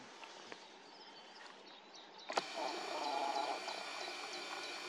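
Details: Common snipe, Tranholen, 2024: a quieter start gives way to a sudden loud burst, then fast high hooked notes repeat roughly every quarter second above a mid-pitched humming band.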